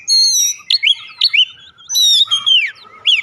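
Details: Oriental magpie-robin (kacer) in energetic gacor song, used as a lure recording to prompt other kacer of any age to sing. Loud, varied whistled phrases with slurred rising and falling notes and sharp upsweeps, delivered in bursts separated by brief pauses.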